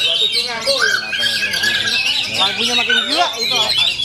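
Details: Loud full-power song of an Oriental magpie-robin, with squawking and whistled notes in quick succession, a long drawn whistle in the middle and rising slurs, over lower chattering voices.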